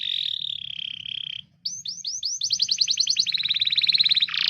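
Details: Canary tutor song for young or silent canaries: a smooth sustained whistle, a short pause, then accelerating rising notes merging into a fast high rattling trill that ends in a harsh burst.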